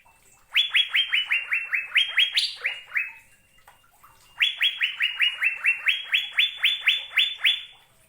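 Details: An Asian fairy-bluebird sings two long runs of rapid, ringing upswept whistles, about a dozen notes each with a higher note near the end of the first, separated by a brief silence.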